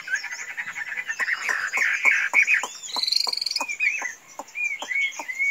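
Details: A very tame Chinese hwamei that can be kept free without flying off sings a loud, varied run of whistled phrases, with rapid repeated notes, rising slurs and a brief buzzy trill in the middle.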